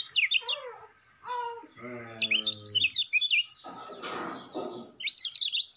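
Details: Kecial kuning (Lombok white-eye), a Lombok contest-hopeful songbird kept as a hobby bird; quick bursts of high, twittering, slurred notes between gaps, alongside a low, buzzy harmonic sound and a patch of rustling noise.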